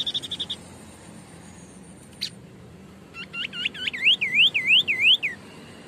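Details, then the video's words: White-breasted babbler, known locally as burung sniper, in active song: a brief high trill, a sharp click, then a run of looping whistled notes that swing up and down in a rolling pattern, over faint low hum. "Tembakan burung sniper atau Tepus dada putih gacor"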